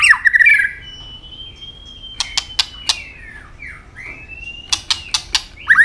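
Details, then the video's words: White-rumped shama in fighting song: a brief warbled burst, then long thin whistles sliding slowly, broken by repeated crisp clicks, another short warble closing. "chòe lửa chuyền hót đấu nết đập tạch đuôi chắc,kích chòe lửa hót đấu chớm lửa"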